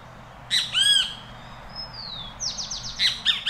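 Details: Great Kiskadee calling as it feeds in Costa Rica: a burst of harsh arched notes, then a long descending whistle and a rapid buzzy series of falling notes, over a low steady hum.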